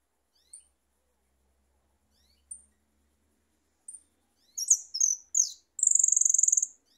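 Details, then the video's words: Song of a goldfinch: three sparse, thin high notes a second or more apart, then a burst of rapid liquid twittering phrases ending in a long, buzzy, rattling trill, with no other sounds. "el jilguero tirando unos cantos"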